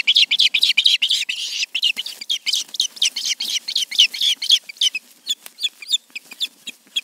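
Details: Charlo nest ospreys, two birds, around 7 pm on August 20, 2019: a dense, uneven jumble of squeaky chirps, crowded at first and thinning to scattered notes.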